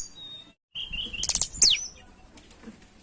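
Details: Breeding-condition lesser shortwing (tledekan) singing to draw a rival: high whistles and one sharp downward-sweeping note over a rough, noisy background, with a brief gap of silence early on.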